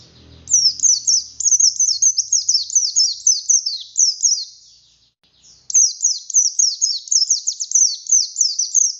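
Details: Vigorous buxtoni oriental white-eye song used to spur lazy white-eyes: a rapid cascade of high thin descending notes, a short lull near the middle, then another long fast burst.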